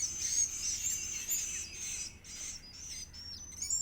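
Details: Edible-nest swiftlet (Aerodramus fuciphagus) chicks begging while being fed: dense, high, hissing-buzzy chatter of many overlapping calls repeated about twice a second.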